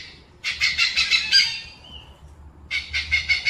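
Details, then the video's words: Oriental pied hornbill giving harsh, rapid cackling bursts of about eight grating notes, a brief thin whistle between two bouts. "Oriental Pied-Hornbill"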